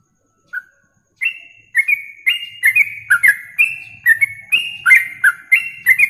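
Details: A yellow-vented bulbul sings for masteran contest training: one lone note, a pause, then a fast, steady string of whistled two-tone notes with crisp high clicks, over a faint low rumble.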